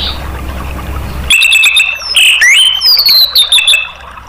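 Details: Orange-headed thrush singing, played to get other caged birds to sing: after a quiet hissy start, a rich run of sliding whistles, rising swoops and chattering notes for nearly three seconds.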